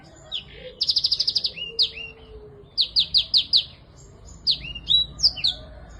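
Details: Black-throated canary in full lively song for therapy of birds that stopped singing: opens with a quick trill of rapid chips, followed by swooping whistles, a run of four repeated notes, and further bright slurred phrases.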